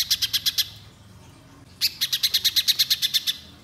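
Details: Orange-bellied leafbird singing in full voice, long phrases: a short burst of fast high chips, a pause of over a second, then a longer rapid run of sharp, ringing notes.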